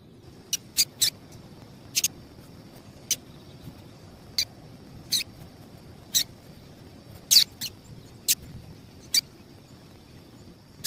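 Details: Repeated calls of a female double-collared seedeater, meant to stimulate males. Roughly fourteen brief, high, piercing chips, sometimes in close pairs, spaced irregularly across the recording.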